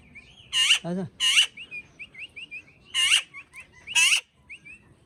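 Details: Pet talking parrot uttering loud rasping, speech-like bursts interspersed with a run of quick, thin chirping notes, the harsh bursts coming in pairs with short pauses between.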